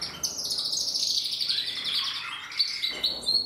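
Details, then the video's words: Singing Portuguese Harlequin canary from 2024: a bright, high, continuous trilled phrase that runs on smoothly, then breaks into sharp chirped notes near the end. "Kanarienvogel Portugiesischer Harlekin singt"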